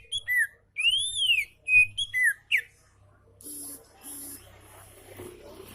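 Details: Oriental magpie-robin in relaxed song, used to tutor magpie-robins reluctant to sing: clear whistled phrases, a high rising-falling arc and short slurred notes over about three seconds, followed by softer buzzy notes and faint background noise.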